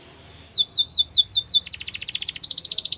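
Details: Yellow canary delivering a training song as a fast rattling trill of high paired notes that speeds into a denser rapid chatter, with low background hum underneath.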